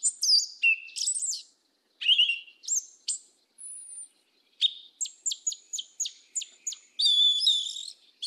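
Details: Yellow-legged Thrush (sabiá-preta) singing in the southern 'mateiro' style: high, varied whistled and chirping phrases with quick falling slurs, short pauses, then a run of sharp repeated notes and a dense trilled ending, on a quiet background.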